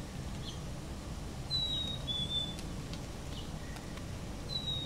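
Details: Chickadee giving a clear two-note whistle, a sustained higher note sliding into a slightly lower one, with a single high note at the end. A steady low rumble runs underneath throughout.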